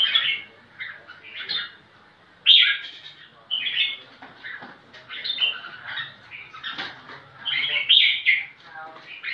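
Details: Red-whiskered bulbul seeking a rival to fight, in a dense, busy stretch of overlapping chirps and warbled phrases. The notes come almost continuously, with a few louder whistled peaks.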